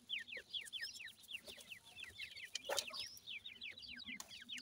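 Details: Young grey francolins (Pakistani teetar) in natural surroundings utter a run of soft, high, down-slurred peeps at a fast even pace, with a brief sharp click near the middle and a low hum underneath.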